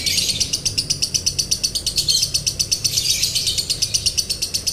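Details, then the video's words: Lovebird "konslet" song, a long dry trilling style used as a training recording: fast rapid-fire buzzy pulses repeated about three times a second, harsh and high, running steadily without pause. "MASTERAN LOVEBIRD KONSLET NADA KERING | PANCINGAN SUARA LOVEBIRD KONSLET"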